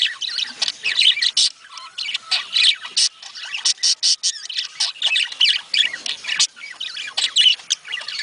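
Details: Budgerigars chattering, a sound said to spur them to breed: choppy, pulsing high squawks and chirps in rapid clusters, repeated bursts with short gaps, many birds overlapping.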